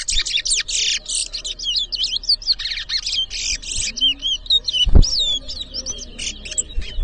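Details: Chestnut-bellied seed finch (towa towa) singing at a bird whistling competition in Edinburgh Village, Guyana, 2023; a rapid, unbroken run of high whistled and warbled notes, with one sharp thump near five seconds and faint voices in the background.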